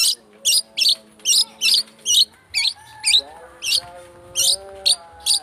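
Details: Harsh, buzzy rasping bursts from a long-tailed shrike, repeated roughly twice a second in a lure recording intended to provoke singing, with soft sustained lower tones behind.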